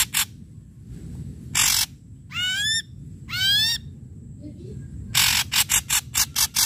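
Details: Loud ashy drongo lure song: scattered harsh rasps, two rising-falling ringing whistles with rich overtones, then a fast stutter of six buzzy blasts.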